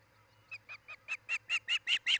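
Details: Nest camera recording of an osprey couple nesting in Charlo, Montana, July 2018: nine clipped whistled chirps in quick succession, each louder than the last, above a faint hum.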